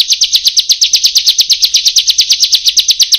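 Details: Bar-winged prinia song from a recording meant to train other birds to sing. Fast, even, high-pitched chip notes run in an unbroken rhythmic string of almost three per second.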